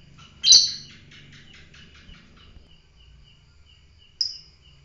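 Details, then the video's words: Lovebird of the fighter type uttering one piercing, harsh shriek followed much later by a shorter, thinner chirp, with a faint pulsing high tick repeating steadily underneath. "fighter lovebird"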